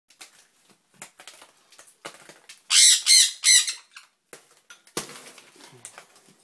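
A young sun conure gives three loud, harsh, high screeches in quick succession, amid soft rustling, clicks and a brief thump.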